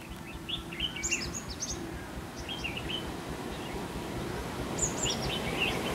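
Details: Decoy red-whiskered bulbul in a trapping session, 5 November 2016: brief chirpy whistled phrases, some very high, come in bursts over a steady, noisy outdoor hiss.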